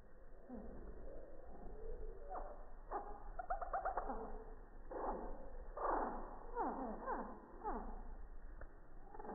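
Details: Hummingbird song at a feeder, slowed by 240 FPS iPhone 6+ slow motion from three feet on a quiet morning: dense repeated chirps and falling sweeps, some in quick trills, rising and fading across the clip.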